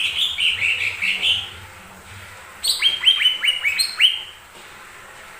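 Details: Lesser green leafbird song used as a lure to provoke other birds into singing: a run of warbled notes near the start, then after a pause a quick series of bright, downslurred whistles repeated about twice per second.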